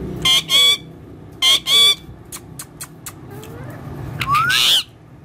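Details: A caged ringneck parrot speaking in Urdu or Hindi, giving two pairs of harsh, buzzy speech-like syllables, then short clicks and a rising whistled phrase that ends in a raspy burst.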